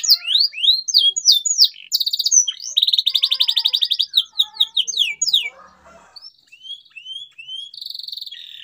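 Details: Canary song meant to encourage silent birds to sing: quick upward sweeps, then a long rapid buzzy trill, more descending slurs, a quieter stretch and a closing high rolling trill.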